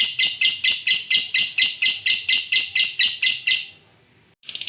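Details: Long "ngekek" from a lovebird: harsh buzzy pulses repeated about twice a second in an even series, then a pause and a brief start of another burst.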